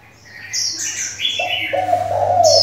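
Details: Decoy spotted dove with many changing voices, kept to excite other doves and train young ones; low husky cooing starts after a second and runs to the end, preceded by high thin chirps from other birds.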